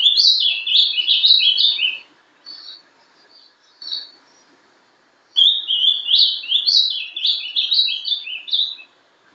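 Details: Captive-bred young ultramarine grosbeak (Passerina brissonii), ringed, hatched 11/12/2012, in the 'sobe e desce' Paraná song: two loud warbled phrases of bouncing, descending notes about two seconds long, split by soft chirps and a short silence.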